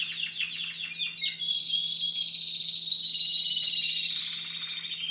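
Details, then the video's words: Group of young Timbrado Español canaries from 2015 in training in contest cages, around late October: continuous rapid rattling trills changing in pitch and texture, some lower rolls, with a constant faint hum beneath. "Εκπαίδευση νεαρών Timbrado Español"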